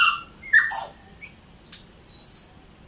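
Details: Native New Zealand tui song: a clear mellow whistle sliding down, then a rising whistle, followed by a harsh crackling burst and thin high tinkling notes.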